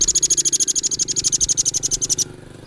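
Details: High, rapid trill from a rambatan (velvet-fronted nuthatch), a training song for competition birds: sharp notes repeated very quickly for over two seconds before stopping abruptly, with a low hum underneath.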